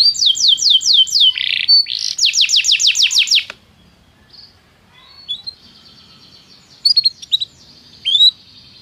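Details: Canary singing to stimulate a quiet bird: two quick series of high falling whistles in the first seconds, then near silence with a few scattered short chirps over faint background noise.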